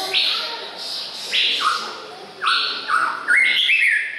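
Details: Male White-rumped Shama, recorded on 24 May 2014: loud rising whistled notes in quick succession, then a cluster of higher chirps near the end.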